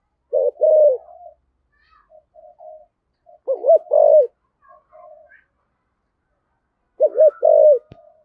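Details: Spotted dove with a rare Vietnamese 'giọng thổ' voice style, in three separated phrases: each a short wavering coo followed by a longer, level, drawn-out coo, with faint softer notes from another bird between phrases.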